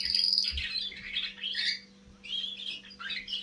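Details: Baby canary starting to sing, producing a rambling, scratchy subsong of buzzy chirps and thin whistles in uneven bursts, with a short pause midway; low thumps and a constant hum in the background.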